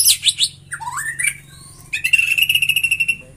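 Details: White-rumped shama song meant to prompt other shamas to sing: bright high twittering at first, a lower wavering whistled phrase, then a fast trill held on one pitch for over a second.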